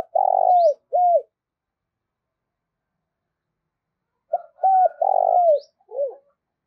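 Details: Spotted dove kept as a decoy, cooing to lure rivals: two low mellow phrases a few seconds apart, each a short pickup, a looped coo and a long vibrating note that slides down at the end.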